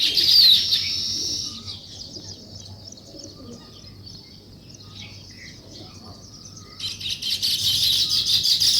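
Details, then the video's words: Sparrows chirping in the morning beside nest-building weaver birds: a strong burst of fast high twittering, a long quieter stretch of faint scattered chirps, then a sudden loud resumption of the chorus. "Sparrow Morning Chirping Sounds"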